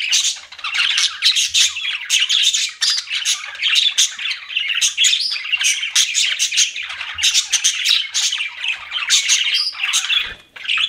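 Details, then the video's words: Pet budgies chirping continuously, a dense stream of buzzy, rapid warbles and squawky notes overlapping without pause from several birds. "CUTE PET BUDGIES CHIRPING"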